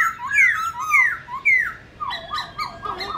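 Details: Short burst of black-throated laughingthrush fighting song: three bright slurred whistles, then softer quick downward notes.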